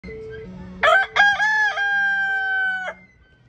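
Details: Rooster crowing in Pennsylvania in July 2023: a loud harmonic cock-a-doodle-do with two short opening notes and a long held final note lasting about two seconds, over faint low steady hum.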